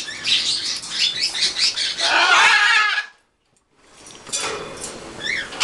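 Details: Pet green-winged macaws, a pair and a baby, vocalising together: rapid scratchy chatter building into a loud harsh squawk, a brief pause, then softer rasping calls.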